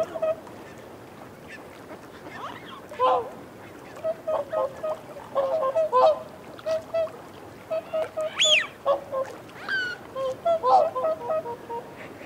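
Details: Whooper swans feeding on a bank trade soft, nasal honks, close calls and reassurance calls, and bugling notes in irregular bursts, a few louder rising calls standing out among the murmuring flock.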